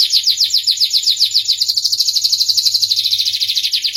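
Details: Melodious starblue canary: high trill that begins with slower slurred notes and speeds into a dense, buzzy rapid-fire roll lasting several seconds.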